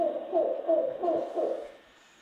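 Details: A female Mexican spotted owl, recorded during surveys in Arizona, gives a contact call: about four hoarse, wavering, mid-pitched notes in under two seconds, monkey-like and oddly unowl-like, then falls quiet.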